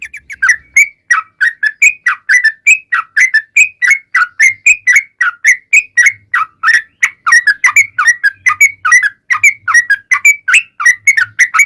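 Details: Continuous 'ropel panjang' song of a yellow-vented bulbul, meant to draw answers from other bulbuls: long unbroken chatter of rapid, bubbly, slightly whistled notes repeated several times a second, with a faint low rumble in places.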